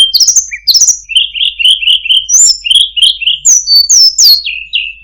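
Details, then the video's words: Tledekan gunung singing a very melodious song with fine phrasing: high whistled notes, quick downslurs, then runs of short buzzy notes repeated rapidly at a steady mid-high pitch, with no other clear sounds. "suara burung tledekan gunung, sangat merdu cengkok bagus"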